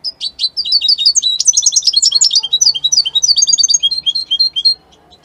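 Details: European goldfinch song labelled Italian goldfinch: a fast, continuous twittering of high, bright chirps and liquid trills, rapid notes tumbling for about five seconds before falling silent.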